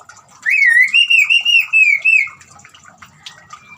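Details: White-rumped shama whistle with running water, meant to set a silent shama singing: one sustained, wavering whistled phrase lasting about two seconds, followed by soft trickling and a faint far note.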